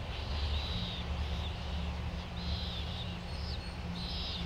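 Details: White terns of the subspecies Gygis alba rothschildi at Midway Island in 1999, filmed with a Sony VX1000 camera; soft nasal calls repeated several times over a steady low hum.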